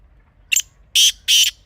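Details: Black francolin (kala teetar), a wild Pakistani bird recorded in natural surroundings and offered as a hunting call, gives a harsh, grating phrase: one short scratchy note, then two longer rasping notes about a third of a second apart.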